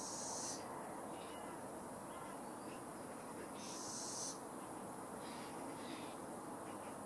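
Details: A fledgling little owl (Athene noctua) gives two harsh, hissing wheezes about three seconds apart, with a few faint squeaks in between over a low background hum.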